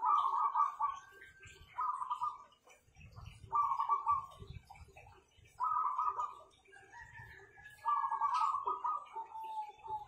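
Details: Kept zebra doves with a powerful song: short bursts of purring, rapidly pulsed coos repeated about every two seconds, with some low muffled thumps and background noise between phrases.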